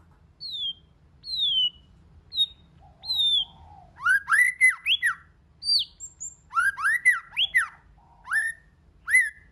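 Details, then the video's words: White-rumped shama singing in many voices, played to stir other shamas into song: clear descending whistles spaced about a second apart, then rapid bursts of rising and falling whistled notes mixed with sharp high ticks. "Kích Chòe LửA HóT,chòe lửa hót nhiều giọng"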